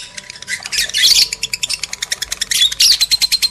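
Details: Lovebirds, male and female, with sound played to stimulate breeding: a dense run of shrill, high chattering chirps and squawks, rapidly repeated pulses of about eight per second, with a faint steady tone behind.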